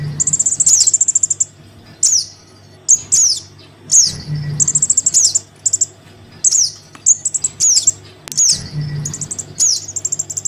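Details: Young crimson sunbird calling for its parent, used to lure wary sunbirds down: piercing high trilled chips alternating with quick falling squeaks, in bursts about every second, over a steady low background hum.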